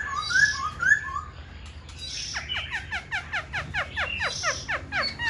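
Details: Black-throated Laughingthrush in a cage, offered for sale, close to the keeper, tail fanned and wanting to raise its wings. Two clear whistles, a pause, then a rapid, even series of sharp falling notes.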